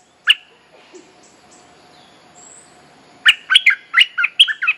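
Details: Bulbul lure song for calling a mate and training young birds: one sharp chirp, a long pause with faint background hiss, then a lively burst of six or seven warbled notes.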